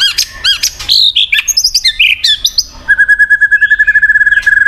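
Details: Song of a white-rumped shama, played to coax a quiet bird into singing. It opens with rapid, varied whistles and chattering phrases, then settles into a fast, even series of identical clear notes repeated about ten times a second.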